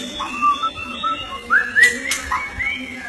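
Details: White-rumped shama (murai batu) from Indonesia sings clear whistled notes, short rising sweeps and slurred phrases, with sharp clicking sounds and a steady low background hum.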